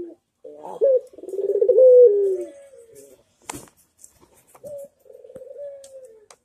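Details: Manggung cooing of a Barbary dove, a master recording for training other birds: one long low coo that swells into rapid pulsed rolls, then fades, followed after a pause by a softer drawn-out coo.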